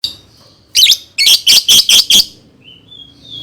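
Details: Lovebird song used as a lure to train young birds to sing: five loud, harsh, buzzy chirps in quick succession, with a faint thin whistle before and after.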